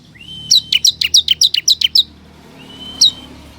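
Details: Bar-winged prinia (ciblek kristal), a lure song used to draw wild forest birds into responding: a steady high whistled tone runs under a rapid burst of about ten sharp, sweeping chip notes, followed by a pause and another thin drawn-out whistle.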